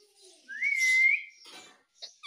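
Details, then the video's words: Pet ringneck parrot giving a single clear whistled note, nearly level then slightly rising, lasting about half a second, followed by soft scratchy noises and a brief chirp at the end. "Cute Ringneck Parrot Talking Mummy Mummy"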